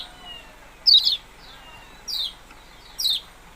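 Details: Three bright, high chirps from a yellow-bellied prinia, each dropping sharply in pitch, spaced about a second apart, the first slightly doubled.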